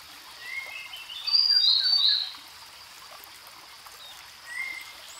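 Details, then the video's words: Singing Grey-headed canary-flycatcher, native to Asia: soft low whistles lead into a louder high bright phrase of three linked notes, then a lone lower whistle, against a constant hissing background. "Grey Headed Canary Flycatcher Singing"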